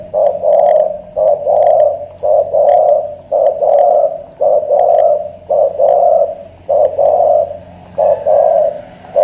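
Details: Spotted dove from Cà Mau with a huge voice, called a thổ cọp and likened to a pigeon. It pours out deep, gruff coos in clipped, evenly spaced bursts, about a dozen, plus light clicking between them.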